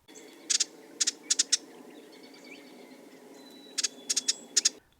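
Ruby-crowned Kinglet giving short, husky ji-dit calls in two quick clusters, each a few dry, high notes, over a steady low hum.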